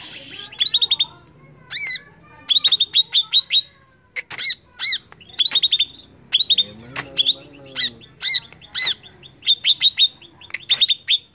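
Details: Energetic greater green leafbird song meant to incite other birds, with repeated bursts of rapid high whistled notes broken by harsh chirps, continuing for over ten seconds.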